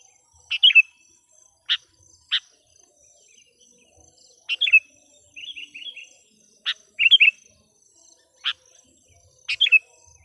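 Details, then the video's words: Sooty-headed bulbul kept as a decoy to call wild birds, giving sparse sharp chip notes spaced a second or two apart, mixed with a few short bubbly two- or three-note phrases. "suara burung KUTILANG PIKAT gacor/suara PIKAT KUTILANG gacor memanggil kutilang liar"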